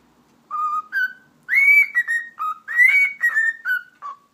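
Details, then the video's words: Cockatiel kept as a pet giving a whistling display: a run of clear whistled notes climbing and falling, the longest held and slightly rising, in a steady tune-like sequence indoors. "Sultan Papağanı Konuşması - Eşek Sıpası Diyor"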